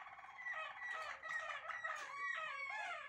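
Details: Malinois Waterslager canary in an aviary, bred for song competition, sings a continuous, rich, low bubbling warble of wavering tones for about three seconds, with no pause between phrases.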